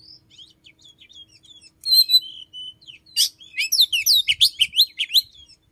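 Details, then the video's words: Oriental magpie-robin singing in the early morning, around 5 a.m., its song said to include mimicry of a red-headed sunbird-like bird; varied high whistles and quick twittering phrases, louder bursts of rapid chirps and rising notes toward the end. "chích chòe than hót buổi sáng"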